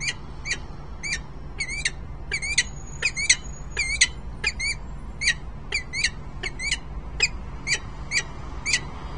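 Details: Peregrine falcons, a male and female pair in Harrisburg, Pennsylvania, 10 December 2020, early afternoon: rapid series of harsh, chevron-shaped, ringing calls, about 80 a minute in uneven bursts, over a low steady hum.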